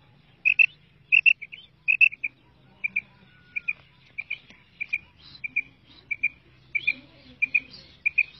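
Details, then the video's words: Female quail giving crisp paired notes in a quick, regular run, roughly one pair every half second, over a faint low background hum. "madi batair ki awaz"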